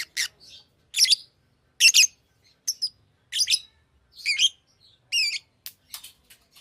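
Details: Pet Fischer's lovebird making sharp, screechy chirps about once a second, some with wavering, warbled tones, ending in quick thin ticks.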